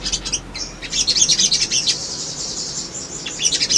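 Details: Male sunbird in energetic chattering song, a lure to make birds respond: a quick burst of high, buzzy, tinkling twitters peaking in the middle, fading, then resuming with sharp chips at the end.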